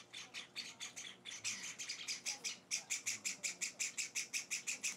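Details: Java sparrow chicks in their fourth day at a new home, being hand-fed: shrill, buzzy, high chirps pulsing steadily about three times a second, with a brief pause near the middle before the rhythm resumes.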